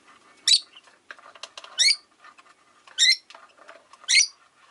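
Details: Rosy-faced lovebird, among five birds in a cage by a window, repeating a sharp rising chirp about every second and a quarter over soft chatter and clicking.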